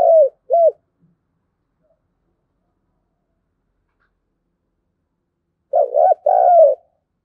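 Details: Lure recording of a spotted dove's thúc gù coo in a local field voice, meant to make wild doves answer: two short low hoots, a long silence, then a quick cluster of three deep coos.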